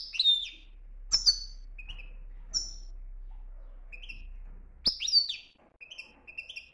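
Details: Moroccan goldfinch in strong 'btbta' song style, clear bright chirps and liquid twittered notes given in short bursts with brief gaps, some sliding high phrases and softer repeated tweets, quiet background.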